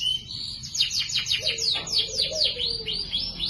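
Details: Lively canary in the cuit cuit nembak style with luxurious cengkok phrasing, used as a tutor song for other birds: a rapid series of descending whistled sweeps, with a soft lower whistle underneath.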